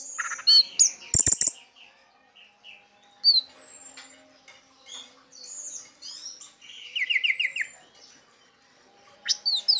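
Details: Orange-headed thrush singing 'teler' style to lure other orange-headed thrushes: scattered high chirps and whistles, a fast descending trill near the end, and sharp clicking sounds between phrases.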